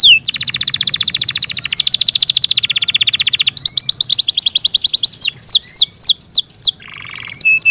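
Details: Singing Yorkshire canary in care: a long rapid rattle-like trill of high notes, followed by a series of downward-sweeping whistles and a short lower buzzy phrase with steady tones.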